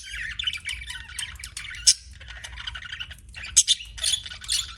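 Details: Pet budgies warbling in scratchy chirps and chatter, broken by a few loud sharp squawks, with a faint low hum underneath.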